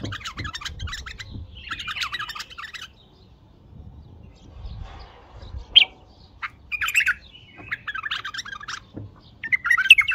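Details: Bulbul singing what is called its strongest song: harsh, scratchy chattering bursts in short phrases separated by brief pauses, with a few sharp high notes and low rumbling background noise between phrases.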